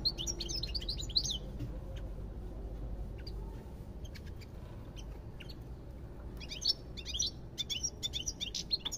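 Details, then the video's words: European goldfinch twittering in brisk high bursts at the start and end, separated by a quieter stretch of scattered clicks and a low background hum. "تغريد طائر الحسون"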